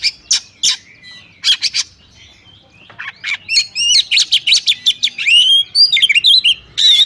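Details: Female Oriental magpie-robin calling a male to stir other males into song; rasping bursts give way to a fast, varied run of whistled and chirped notes, rising and falling, ending in sweet slurred whistles.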